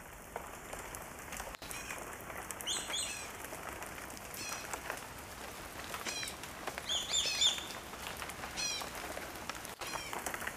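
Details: Many swallow-tailed kites calling while in flight give high, thin whistled chirps in short quick bursts, spaced a few seconds apart, over a steady high insect-like hum and soft background noise.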